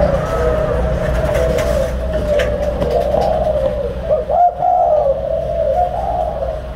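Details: Caged breeding pair of spotted doves, pair number 11 and 04, giving low cooing at a steady pitch that runs almost unbroken across the clip, with faint room noise and a brief dip near the middle.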